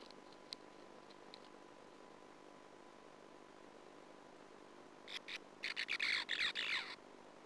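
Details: Sand martins at a colony nest hole watched by a nestcam in 2009, with an intruding female usurper present; a few faint ticks, then a rough, rapid chatter building over the last two seconds.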